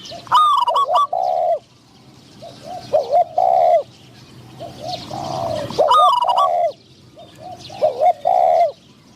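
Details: Decoy spotted dove calling to draw wild doves toward a trap, with a medium-voiced wild bird hoped for. Mellow, wavering coos come in paired phrases roughly every two to three seconds, mixed with sharp clicky bursts.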